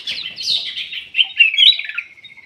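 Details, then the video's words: Bulbul known locally as kutilang emas, played as a lure to prompt lazy birds to sing: a dense run of bright, chattering twittered notes that rises into sharp, squeaky whistles, then trails off in a thin, fading trill. "PANCINGAN KUTILANG EMAS MALAS BUNYI"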